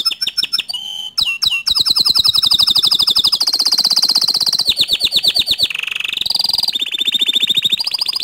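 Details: Canary song meant to stir other canaries to sing: loud, unbroken run of rapid rolling trills that shifts pitch and pace every second or two, with clipped chirps at the start.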